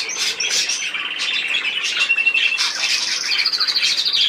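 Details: Budgerigars keep up lively chatter of raspy squawks and chirps, then a sustained trilled run of rapid repeated notes near the end.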